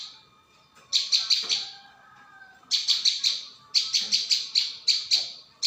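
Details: Lure recording of a prinia: three bursts of quick, high, clipped chip notes, five to seven per burst, separated by short silent gaps.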